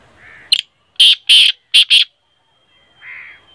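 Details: Black francolin (kala teetar) call, offered to prompt a kept francolin into calling: one short note, then a harsh, grating rhythmic phrase of four clipped notes over about one second. Faint softer tones come before and after.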